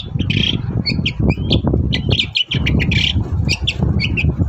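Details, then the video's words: Long-tailed shrike in full morning song, used to draw replies from other shrikes; continuous jumble of short chirps, squeaks and two buzzy rasps, delivered quickly, above persistent low-pitched background rumble. "BURUNG CENDET GACOR PAGI HARI BIKIN CENDET MANAPUN LANGSUNG NYAUT"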